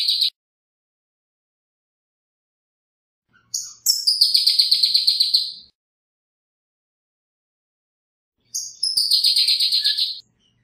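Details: Pyrrhuloxia, a bird of arid zones of northern Mexico and the southwestern United States, giving two bursts of very fast buzzy trilled notes separated by silence, plus a brief note at the start.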